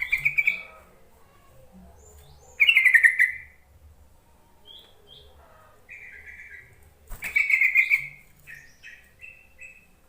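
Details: Yellow-vented bulbul call used to lure reluctant bulbuls into singing: three loud bubbly chattering bursts spaced several seconds apart, with softer short whistled notes between them.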